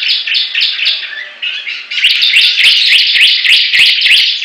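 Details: Competing Bar-winged prinias sing vigorously: blurred high chirping, then from about two seconds a clearer run of upswept, clipped notes repeated roughly three times a second.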